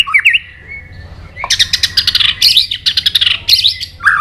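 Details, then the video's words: White-rumped shama giving its fighting song, used to stir a bird into singing hard: a sharp rising whistle, then a dense burst of rapid buzzy, chattering notes with a brief pause before a final slurred phrase. "Luyện giọng chòe Lửa hót đấu"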